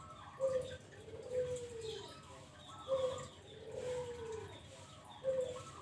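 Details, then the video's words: Zebra dove calls used as a lure for trapping doves: soft, low cooing notes repeated every second or so, faint against a murky background hiss. "Pancingan Burung pekutut"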